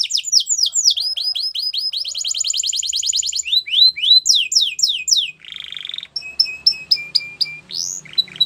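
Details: Belgian canary singing a varied, fast song: rapid downslurred whistled notes, a buzzy trill, rising sweeps, and a burst of clear repeated notes, loud and close with no other sounds.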